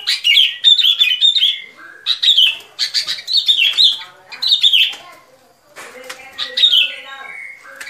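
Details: Lure recording for trapping, sooty-headed bulbul singing rapid strings of bubbly, slurred whistles that dip and rise, several phrases run together with a brief quiet gap near the end.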